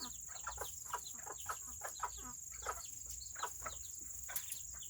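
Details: Several tiny Serama chickens, a very small breed, kept on a rainy Saturday, utter rapid soft clucks and squeaky chirps in quick irregular succession, a constant thin high tone running underneath.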